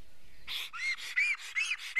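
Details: Black stork at its nest in Karula, Estonia, filmed by a live nest camera at 11:10 on 19 May 2017, upset by an intruder just before the first chick hatches: a hiss, then a run of arched whistled notes with harsh overtones.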